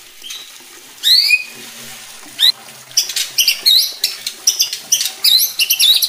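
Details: Singing White-rumped shama meant to goad rival shamas: sharp upswept squeaky notes, then a dense burst of high chattering and twittering phrases in quick succession.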